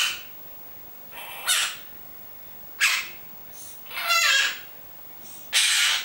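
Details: Harsh, crow-like squawks from a pet monk parakeet that speaks its name and Italian words, spaced about a second apart, with one longer wavering, buzzy note in the middle.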